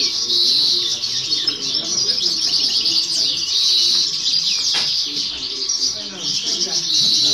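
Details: Young female European goldfinch singing during a 2018–2019 singing competition: a continuous high twittering warble with buzzy trills, overlaid on steady background chatter and noise.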